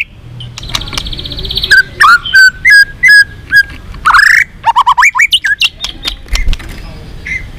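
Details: Varied white-rumped shama song meant to incite fighting: a buzzy high trill, then a string of clear mid-pitched whistled notes, followed by rising upslurs and quick chattering phrases.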